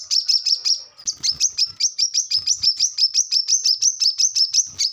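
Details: A brown-throated sunbird sings in fast 'gacor' style, recorded for training captive birds. A short buzzy trill gives way to a regular chain of sharp, down-flicked high chips, with soft low knocks in the background.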